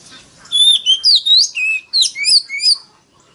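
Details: Oriental magpie-robin singing loudly in forest-voice style as a lure for rival males: a short phrase of clear whistles, one long level note, then swooping rising and falling slurs in quick succession.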